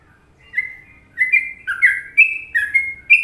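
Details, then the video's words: Sooty-headed bulbul from Indonesia singing in the popular Trucukan rhythm: a run of short, clear, whistled phrases near one pitch, slightly rising and falling, about six notes in three seconds, with a quiet background. "Masteran Trucuk Indonesia"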